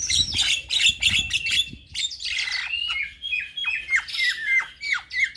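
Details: Energetic song of a young Javan myna packed with varied phrases, the kind that makes other mynas respond: a loud harsh chattering opening gives way to a steady string of clear down-slurred whistles.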